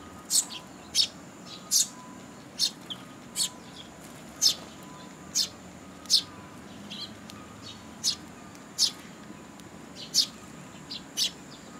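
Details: Young sparrows being fed by parents at a Tenmangu shrine on 2 July 2022; crisp, high single chirps repeated about every second, some louder, some fainter, against a low steady hum.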